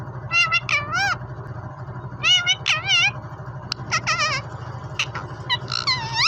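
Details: Green ring-necked parrot speaking Urdu/Hindi words, saying "Mian Mithoo": clusters of nasal, voice-like syllables with wavering pitch, some rising and bending. A low engine-like rumble runs throughout.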